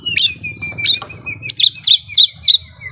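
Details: Kept Oriental magpie-robin in full song, meant to provoke rivals into fighting mood: two sharp high notes over a sustained whistle, then a quick series of four looping high whistled phrases, with a constant low hum behind.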